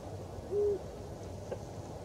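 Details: Eurasian eagle-owl hooting from a construction crane at the closed Barkarby airport, Sweden, late evening on 26 January: a single short, deep, even hoot near the middle, over a low background hum.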